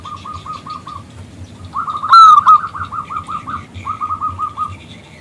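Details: Local zebra dove calling a male to join in; soft runs of coos frame one loud ringing note that breaks into a fast, even rolling sequence, about three coos per second.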